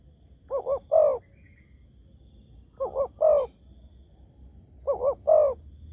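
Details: Spotted dove (tekukur) lure call, said to make every other dove answer: three phrases, each two quick soft coos followed by a longer rolling coo, spaced about two seconds apart, with a faint steady high whine behind.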